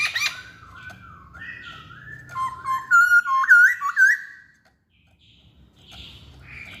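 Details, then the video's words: Masked laughingthrush song: a stepped series of whistled notes climbing into loud looping, upturned whistles repeated about once a second, then silence and faint rustling noise. "Kicauan Poksay Hongkong"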